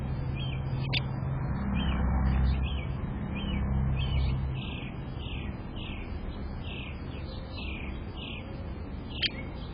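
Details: Downy Woodpeckers at a suet feeder, a female chasing off a male: a long run of short, high notes falling slightly in pitch, with a couple of sharp pik calls, over a steady low rumble.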